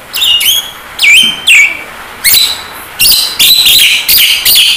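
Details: Javan myna whistles from a masteran recording with rain sounds, made to train kept mynas to talk and sing: downslurred and rising whistles, then bursts of sharp high notes repeated steadily, over rain hiss.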